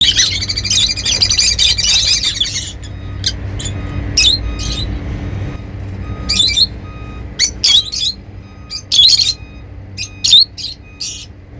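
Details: Happy lovebirds calling: about two and a half seconds of dense, shrill, buzzy chattering, then scattered sharp high chirps in short bursts with quiet gaps, over a faint low hum.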